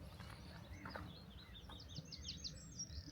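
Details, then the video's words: Willow warbler, first heard this year, singing at Lodmoor in early spring: a soft, sweet phrase of high notes sliding down the scale, over steady low wind rumble and faint other bird notes. "that's the willow warbler singing not the wren."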